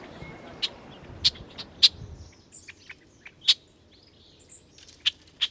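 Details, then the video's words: A Red-winged Blackbird gives its typical check call, used year-round by both sexes in flight, while feeding, confronting rivals and as an alarm: short, sharp checks about every half second to second, with faint chirps behind. "Red-winged blackbird typical call is a distinctive check, and is pretty easy to recognize."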